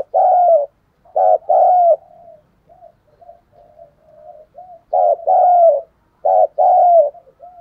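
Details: Decoy spotted dove calling to lure wild birds, thổ voice style: loud hoarse coos in groups of two or three, separated by strings of quiet, soft cooing notes.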